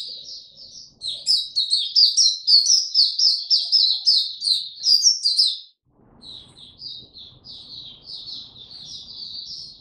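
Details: Captive Oriental white-eye, recorded 25 January 2022 following a late night's sleep: a loud burst of rapid, high staccato chirps for about five seconds, a sudden brief silence, then softer continued twittering.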